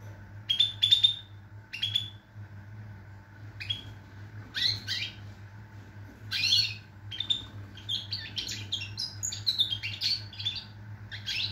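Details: European goldfinch singing, recorded 22.09.2023: scattered sharp chirps at first, then denser tinkling twitters and buzzy trills building toward the end, a faint constant hum in the background.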